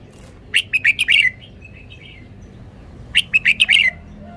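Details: Two matching phrases from a red-whiskered bulbul showing off its song phrasing. Each is a rapid string of five or six crisp, slurred whistles, about two and a half seconds apart, with a soft warble between them.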